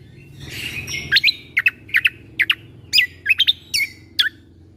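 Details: Greater green leafbird in tembakan style, played as tutor song for young white-rumped shamas: a soft buzzy note followed by about a dozen crisp, downslurred chirps in paired and single bursts.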